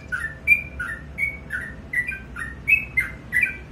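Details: In the morning, a sooty-headed bulbul gives bright whistled note pairs, a high clear note answered by a lower blurred one, about eight phrases in under four seconds.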